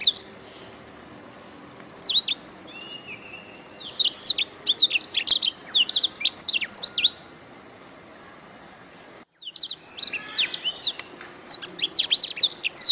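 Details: Canary song used as a training recording for caged birds, best played in morning or afternoon: bursts of rapid, high, sweeping trills and chirps with a short silent gap midway, over a steady background hiss.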